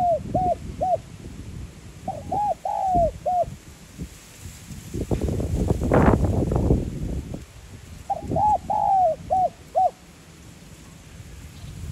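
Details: Spotted dove cooing in the 'giọng son' voice style to stimulate decoy birds: short hooked coos and a falling drawn phrase, broken mid-way by a loud rustling, wind-like noise burst before the phrase resumes.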